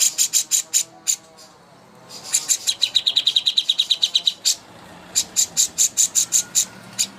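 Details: Greater green leafbird master song for contest birds: clusters of very high, thin chips, a pause, then a fast dense trill of lower high notes, followed by more thin high chips.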